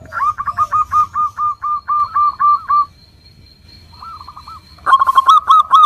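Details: Vigorous local zebra dove song, played to coax other doves into calling: a long even run of about a dozen short bouncing coo notes, a pause with a few softer notes, then a fresh burst of rapid coos.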